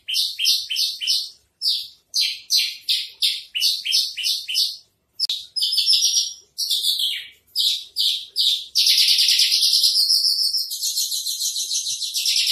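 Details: Javan bush lark trotol song, starting with rapid short buzzy notes in bursts, then a varied phrase, ending in a sustained continuous high rasping trill.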